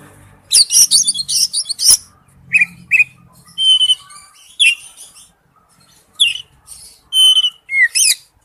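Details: Male oriental magpie-robin calling to a female: loud burst of harsh, scratchy high notes, then a varied run of short whistled slurs and chirps with brief pauses between phrases.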